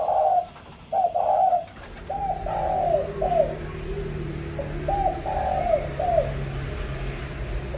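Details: Spotted dove song in the mixed 'pha kim' voice style: phrases of soft hollow coos ending in a longer falling note, repeated, over a steady background hiss and low rumble.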